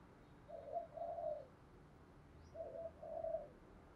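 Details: Distant spotted dove cooing, a field-style voice used to train and provoke doves: two short phrases of soft, hoarse coos about two seconds apart over steady background hiss.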